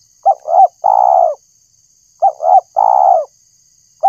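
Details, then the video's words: Lure call of a tekukur (spotted dove) for trapping birds: cooing phrases of two quick hooting notes and a drawn-out descending coo, repeated about every two seconds, a new phrase starting at the end; faint constant high hum. "suara burung tekukur_pemancing suara tekukur"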